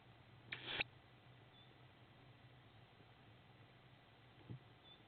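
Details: Young tawny owl at a window in Estonia, 8 May 2016. It gives one short, hoarse, hissing screech, then a soft thump follows in a quiet setting.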